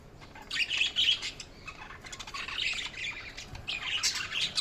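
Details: Budgerigars chirping in a busy, overlapping chatter of high, squeaky warbles and short squawks, several bursts rising and falling with no steady rhythm across the whole stretch.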